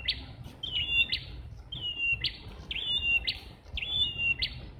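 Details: Red-headed prinias singing energetically in a jackfruit tree, apparently a pair: bright, ringing phrases of a quick up-slur and a level whistle ending in a sharp click, repeated about every second over faint low background rumble.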